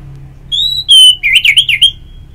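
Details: Orange-headed thrush in ngeplong song, used to stimulate other birds to sing: a sustained pure whistle, then a piercing high whistle and a rapid run of wavering, looping whistled notes, with clean, quiet background.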